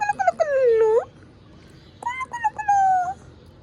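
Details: :Pet ringneck parrot at play indoors, said to speak the phrase "Mia Mithu Chori Khani hai" clearly; two harmonic, voice-like utterances, the first sliding down then rising slightly, the second flatter and level, with faint music in the background.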